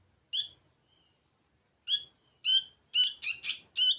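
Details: Hand-fed sooty-headed bulbul nestlings, day four of feeding, begging with shrill, harsh chirps: two isolated calls, then an accelerating series of five loud, raspy squeaks crowding together toward the end.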